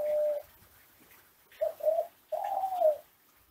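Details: Classic Kelantan ringneck dove delivering its song for training other doves: a level coo, a quiet gap, two quick rising coos, then one long, arching, hollow coo that fades away.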